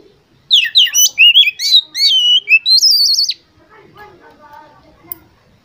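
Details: Oriental magpie-robin competition song, a fast string of sharp chirps and slurred whistles ending in a trilled, wavering high phrase, followed by quieter low background sounds.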